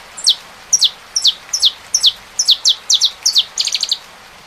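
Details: Saffron finch singing over rain: a rapid series of about nine high, sharp descending chirp notes, ending in a fast stuttering trill, with soft rain noise throughout.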